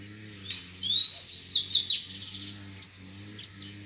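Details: Grego-style song of a wild double-collared seedeater competing with rival males, filmed in nature: a loud run of rapid high slurred whistles and trills lasting over a second, a fainter reply near the end, over a constant low hum.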